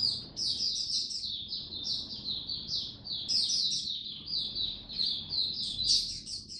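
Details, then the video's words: A kept Oriental white-eye, on an adjusted diet for cold rainy weather, 8 October 2022, pours out a continuous high, thin warbling song of rapid tumbling twitters without pause. "Mata Puteh Buka Sing"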